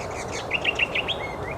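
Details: Brown honeyeater, high in a tree at Nudgee Beach Wetlands Reserve north of Brisbane on a sunny morning after fog, 16 June 2022. It gives a quick run of five or six bright, high chirps, then two short rising whistles, over steady outdoor hiss.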